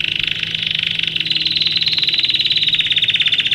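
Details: Domestic canary singing for training young birds, an unbroken rapid trill of beating notes that rises gently in pitch partway through and holds, loud and continuous, with a low hum in the background.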